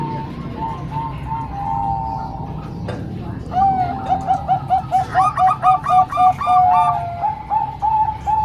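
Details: Zebra dove song mixing three Bangkok-type birds and one local, for training young birds. Soft coos at first, then a strong pulsing series of rounded notes about four per second, with a higher bubbling voice layered above.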